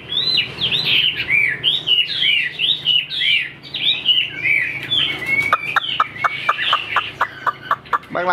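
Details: Tame caged Chinese hwamei singing freely while the cage is moved around; fast varied slurred whistled phrases give way to a quick series of sharp clipped notes, then a rapid trill at the end, indoors.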